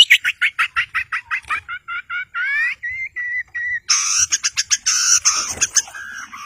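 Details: Long-tailed shrike in lively song, used to draw silent birds into singing: a steady series of clipped notes, then warbled and drawn-out whistles, ending in a noisy high chattering burst with lower notes.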